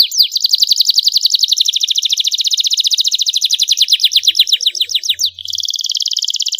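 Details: Canary training song with luxurious phrasing: a long, fast trill of high slurred notes slowing gradually over five seconds, a short dip, then a dense, bright, buzzy trill.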